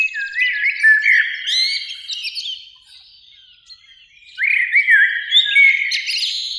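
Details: Two blackbirds sing in a springtime beech by a lake in evening sun; here a warbled fluty phrase with squeaky high end, a short pause, then a second mellow rising phrase.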